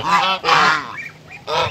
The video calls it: suara angsa putih